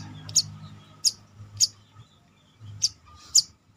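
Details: Caged brown-throated sunbird being trained to gain nerve and a combative temperament: five short, shrill, high-pitched tsip notes at irregular intervals, with a quiet low hum in the background.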